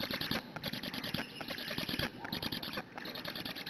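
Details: Young black storks in a nest in Hungary, morning of 12 June 2017, begging for a long time while awaiting a feeding parent; quick, squeaky, scratchy pulses in an uneven stream, briefly easing toward the end.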